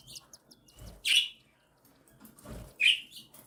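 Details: Cockatiel nestlings, one and seven days old, fed by their mother; two loud rasping squeals about two seconds apart over soft low rustling.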